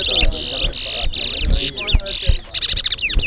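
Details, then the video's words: Towa towa (chestnut-bellied seed finch) singing in a competition at Guyana National Stadium: bursts of high buzzy, rasping phrases alternate with sweeping whistled notes, while crowd murmur and background music rumble underneath. "TOWA TOWA BIRD SINGING COMPETITION"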